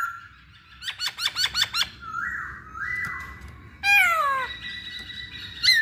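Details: A lure recording of a masked laughingthrush, meant to prompt other birds to sing: a burst of five quick harsh notes, two slurred whistles, then a loud descending squeal and a sustained buzzy tone.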